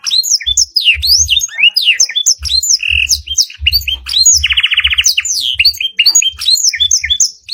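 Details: Long canary master song filled with blackthroat phrases. It opens with fast, varied high chirps and whistled slides, a short buzzy note at about 3 seconds, then a rolling buzzy trill from roughly 4.3 to 5 seconds.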